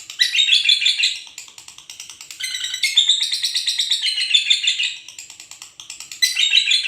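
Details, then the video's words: Noisy nighttime chattering from a lovebird pair, with rapid, harsh, high-pitched chirps in bursts that swell and fade, briefly pausing before resuming loudly at the end. "love bird gacor psangan ribut malam"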